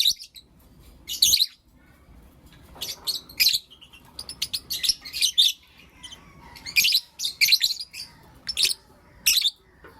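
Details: Morning chirping of Blue Opaline and Lutino Opaline lovebirds: rapid, piercing, scratchy notes in clustered bursts, often several in quick succession, continuing through the whole stretch with short gaps.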